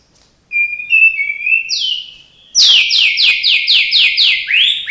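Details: White-rumped shama, a kept bird singing a mimicking song with copied calls of other birds: thin level whistles rising in pitch, then a fast series of about ten descending slurred whistles, each falling sharply, ending in a rising note.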